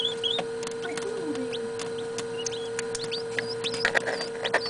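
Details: Incubator-hatched Northern Bobwhite chicks, hatched 27 September 2010 and filmed indoors around 9 pm, give many thin, high peeps and short whistled chirps in a busy, uneven stream over a steady mechanical hum.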